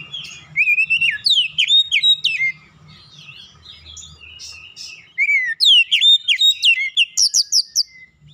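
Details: Oriental magpie-robin singing to prompt other birds into song, delivering fast runs of bright, ringing whistles and steep up-down sweeps, repeated in tight series broken by a quieter gap midway, faint low rumble beneath.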